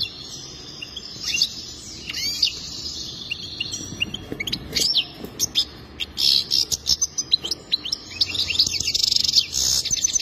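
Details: Goldfinch singing a rapid, high twittering song of tinkling notes and short buzzy trills, the phrases picking up in density toward the end over a faint low background hum.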